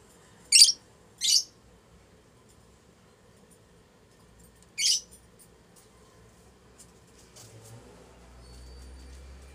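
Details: Lutino Fischer's lovebirds, a strongly bonded adult pair mating in their house, give three sharp high chirps, two close together then one about four seconds later, followed by faint low rumbling.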